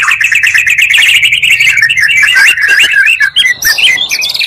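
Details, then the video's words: Combined Oriental magpie-robin songs played to rouse other magpie-robins: continuous warbling chatter of quick repeated notes, followed by looping whistled phrases rising in pitch. "pancingan murai 2 kali lebih menaikkan emosi muarai"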